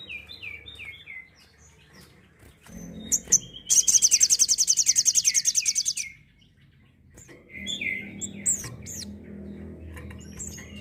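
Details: 'Tembakan' burst song of a Sooty-headed bulbul for training songbirds: scattered slurred chirps, then a loud, rapid rattle of sharp high pulses lasting two seconds, followed by more descending whistled notes amid background rustling.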